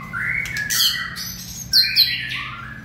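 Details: White-rumped shama in fiery peak condition, 2020 season, giving harsh, squawky, rasping notes mixed with short high whistled chips in quick succession.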